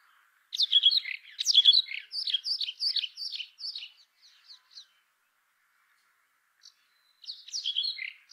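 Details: A brown rock chat sings a loud, jumbled burst of chirps that fades into spaced softer notes. After a few seconds of quiet comes another short twittering phrase.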